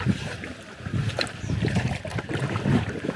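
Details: Low rumbling boat engine and wind buffeting, with no animal voices heard.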